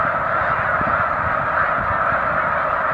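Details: Snow geese, a big flock resting on Cayuga Lake, afternoon, 20 March 2021: continuous massed honking, steady and evenly loud, countless birds calling over each other with no gaps.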